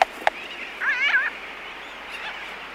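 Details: Laysan albatross (Phoebastria immutabilis) in a colony gives bill clicking, two sharp loud clicks a quarter-second apart, then a brief wavering nasal call; sooty terns are in the distance, with aircraft sounds and faint colony noise.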